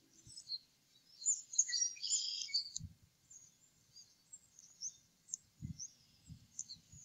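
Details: Adult eagles at a nest on the Upper Mississippi River Refuge, two males eating leftovers after feeding growing eaglets, early April: a high, squealing chitter burst near the middle, then quiet with faint low thumps.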